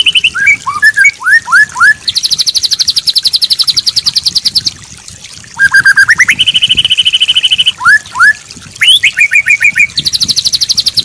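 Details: Training song of a white-rumped shama, meant for a stressed bird that no longer sings. Varied phrases mix descending whistled slurs, long buzzy rapid trills held for seconds, and bright rising whistles, repeated in changing sequences.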